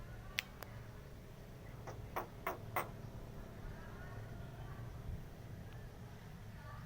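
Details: Faint, scattered knocks and clicks over a low, steady background hum, with no animal voice present.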